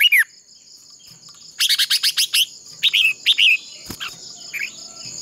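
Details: Red-whiskered bulbul decoy singing in a fighting contest to stimulate other bulbuls; a burst of fast staccato chirps followed by bubbly, slurred whistled notes and a soft final phrase, over a steady high tone.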